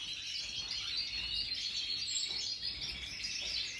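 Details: Major-type European goldfinches singing, 2023 recording: an unbroken stream of bright, fast twitters and trilled chirps, steady in loudness, with a faint low rumble beneath.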